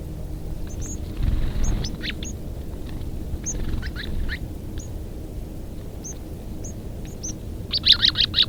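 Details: A group of white-crowned sparrows, a rare appearance here, gives sharp, high chips and short downslurred notes at an uneven pace, with a brief louder flurry at the end over a steady low rumble.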